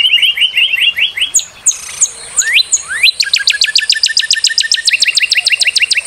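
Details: Northern cardinal singing: a run of short slurred whistles, then high thin steady tones and a long fast series of sharp downward-sweeping notes repeated about five times per second.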